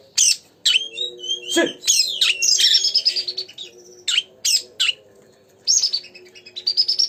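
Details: Oriental magpie-robin song meant to provoke another magpie-robin into singing: varied loud whistles, sharp chips and rising sweeps in quick bursts with short gaps, over a low steady tonal hum.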